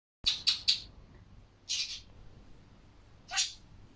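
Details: Budgerigar (Melopsittacus undulatus), talking.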